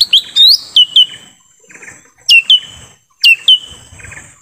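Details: Forest lesser green leafbird, sound played to lure wild birds: quick series of high whistled notes, falling sweeps and upward slurs, delivered in three bursts of two to five notes over quiet background.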